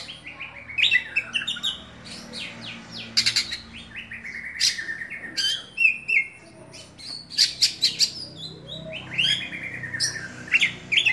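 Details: Oriental magpie-robin kept as a songbird delivers a long varied song of rapid chirps, whistled slides and piercing high notes in dense bursts, with a faint low hum behind.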